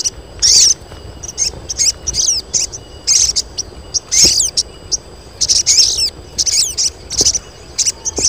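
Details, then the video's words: Female crested jays in a colony, calling males while in breeding condition; bursts of shrill, squeaky chirps and hooked whistles recur about every half second, several birds overlapping. "KOLONI SOGON BETINA || SOGON JANTAN LANGSUNG BUNYI"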